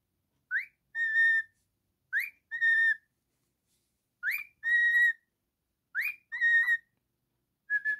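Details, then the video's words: Male pet cockatiel singing and whistling: four phrases, each a quick rising upslur followed by a clear, steady, held whistle, repeated roughly every two seconds against a silent background. "Cockatiel singing and whistling"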